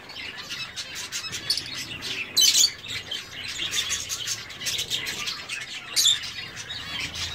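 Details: Zebra finches in an aviary: a dense chorus of short nasal, buzzy calls overlapping continuously, with a few sharper, louder notes standing out.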